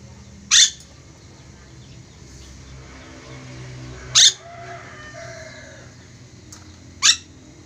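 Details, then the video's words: Ornate lorikeet calling: three short harsh screeches spaced several seconds apart, with quiet background between. "Nuri dora gacor"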